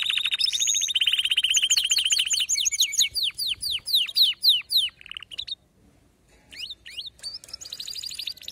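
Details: Excited canary song: a fast low-pitched rolling trill, then sweeping repeated whistled notes in quick succession, a brief pause, and a few scattered sharp high notes before another trill.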